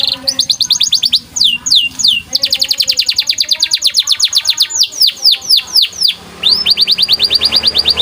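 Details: White canary singing a long training song, rapid rhythmic chirped trills alternating with groups of sharply falling whistles, ending in a steady fast repeated trill.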